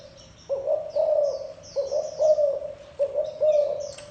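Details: Low rounded coos from a spotted dove, three phrases of two or three notes after a quiet start, with light twittering birds behind.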